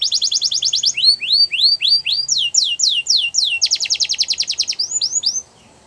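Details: Loud Belgian canary song made of rapid rattling trills alternating with series of rising swept whistles, a few per second, then another fast trill. It ends abruptly in near silence.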